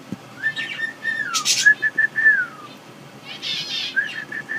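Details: A female pet cockatiel gives clear, bright whistles, some sliding up or down, mixed with short repeated notes.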